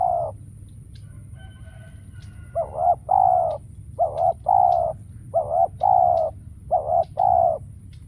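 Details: Spotted dove kept as a trapping decoy, cooing in a regular series: paired coos, a short note then a longer drawn-out one, repeated about every second, after a quiet opening with faint distant chirps.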